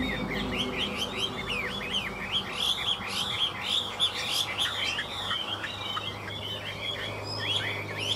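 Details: Caged hwamei in midday song: a lively, unbroken stream of bright whistled notes that slur up and down, with quick repeated motifs and rich warbling throughout, over a faint low hum.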